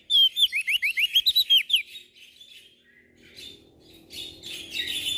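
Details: Prinia (prenjak daun) from NTB, Lombok, Indonesia, singing actively. A quick burst of about ten bright, looping whistled notes lasts under two seconds, followed by softer rustling and muffled background noise.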